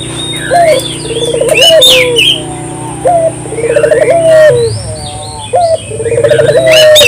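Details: Local collared dove calling as a lure, morning, midday or night: three rolled trembling coo phrases, each led by a sharp upward note, spaced about two and a half seconds apart, with high chirps and whistles of other birds over a low hum.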